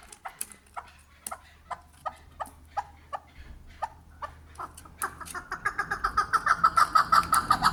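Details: Chukar recorded in Kyrgyzstan: sparse, spaced single clucks at first, then an accelerating run of loud chuck notes that builds into a rapid, rhythmic chattering series toward the end.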